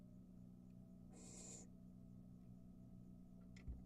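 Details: Barn owl, a young bird feeding at the nest entrance after carrying a mouse to the porch, on a birdcam: a single rasping, hissed screech lasting half a second, then a faint click, with constant low hum beneath.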